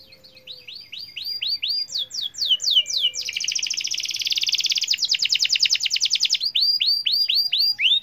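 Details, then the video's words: Canary in full song, used to prompt other canaries to sing: series of clear upslurred whistles, then a fast buzzy rolling trill lasting about three seconds, ending with more repeated rising whistled notes. "Suara kenari gacor ampuh bikin kenari lain ikut gacor"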